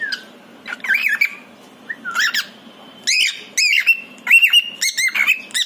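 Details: Pied male cockatiel indoors, calling its partner: loud, repeated squawking contact calls, each a bending, whistled note that rises and falls, given in uneven bursts with short pauses, against a quiet room.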